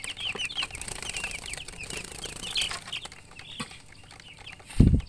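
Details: Chicken chicks give quick high peeps for about three seconds, then quieter rustling, ending with a loud thump.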